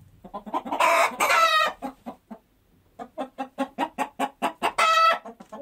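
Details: Chickens cluck in quick soft pulses with two loud, ringing cackle bursts, a brief pause in the middle, then a steady string of clucks.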